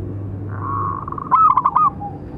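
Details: Local zebra dove, big voice, calling song for training and provoking other doves; a soft drawn note leads into one quick rolling burst of bubbly coos, low hum behind.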